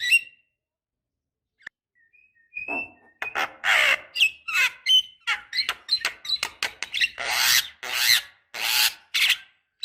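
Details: Female Javan myna calling a male, a lure for caged birds: faint thin whistles, then a growing stream of harsh rasping squawks, clicks and chatter, densest and loudest toward the end.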